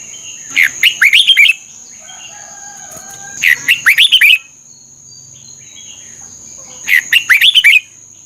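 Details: A red-whiskered bulbul gives three bursts of bright, bubbly whistled notes, each about a second long, separated by short pauses over a steady high hiss. The song is played to excite caged birds and train them.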